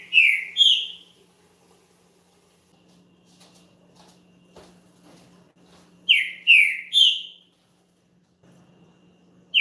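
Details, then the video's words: Green-winged saltator, a champion singer, heard to excite another bird: short phrases of three or four falling whistled notes, repeated after long silent pauses of several seconds. "ESQUENTE SEU TRINCA FERRO RÁPIDO NO CANTO DE UM CAMPEÃO"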